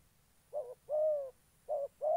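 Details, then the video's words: Spotted dove kept as a trapping decoy in Gia Lai, Vietnam, uttering a short coo, then a long smooth descending coo, then another short-long pair, mellow and low, with a faint high hum throughout. "Bẩy chim cu gáy"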